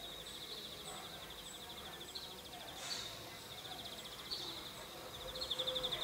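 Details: Outdoor European greenfinch, its voice as high buzzy trilled rattles around the upper register, repeated in runs across the clip, with steady background noise and a faint lower tone.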